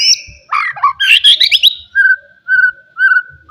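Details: Wild forest white-rumped shama singing loudly to stir rivals: a high whistle, a rapid jumbled warble, then a clear level whistled note repeated about every half second.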